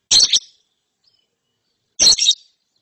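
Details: A young lovebird, said to be trilling ngeriwik after therapy, utters two loud raspy double chirps nearly two seconds apart, with silence between them.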